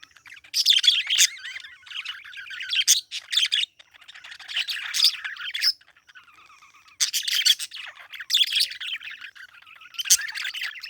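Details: Loud parakeet chirping comes in harsh, scratchy chattering bursts broken by brief pauses, with softer warbled notes between the outbursts.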